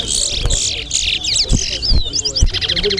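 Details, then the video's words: Chestnut-bellied seed-finch (towa towa) singing in a bird race at Mahaica, a fast run of sweet, high twittering and slurred whistled notes, with low thumps, background chatter and counting. "TOWA TOWA BIRD RACE"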